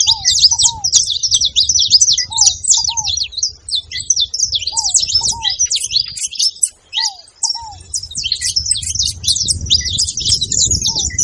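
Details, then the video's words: Chattering saffron finches gathered at a seed feeding station: ceaseless shrill chirping from many birds, with a brief lull near seven seconds. Paired, down-slurred whistled notes sound in the lower range, and faint low rumble persists throughout. "canário da terra fazendo barulho na seva"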